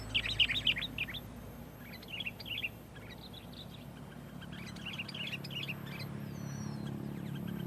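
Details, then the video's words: Sooty-headed bulbul giving dense, lively song used to provoke other bulbuls; quick bursts of bright chirping notes in clusters, loudest at the start, over steady low background hum. "SUARA BURUNG KUTILANG GACOR SUARA RAPATBIKIN KUTILANG LAIN IKUT GACOR"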